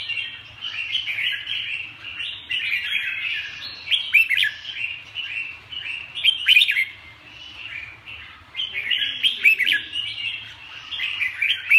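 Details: Red-whiskered bulbul delivering a long, busy song of overlapping chirps and warbled phrases, punctuated by several loud, sharply falling whistles spread throughout.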